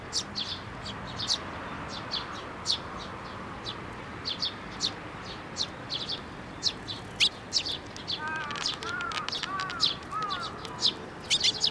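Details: Several sparrows flocking to a hand for food at a Tenmangu shrine in May 2024, giving dense bursts of sharp high chirps, with a low warbling sound midway and steady background noise.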